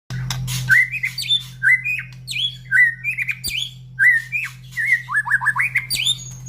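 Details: White-rumped shama, kept as a cage bird, singing a rapid run of loud whistled, slurred phrases that often rise, with sharp clicks and higher trills, under a steady low electrical hum.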